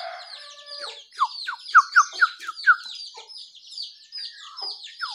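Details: Morning birdsong from birds including jongkangan, terucukan (yellow-vented bulbul) and pleci (white-eye): a run of loud, short, falling whistled notes about twice a second over a dense, high, twittering chorus of many birds.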